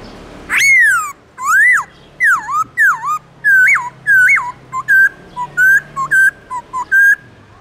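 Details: Morning song of a black-throated laughingthrush in wild-type voice, a long run of loud, pure whistles: arching slurs, then quicker upturned and level notes repeated about every half second over a faint low hum.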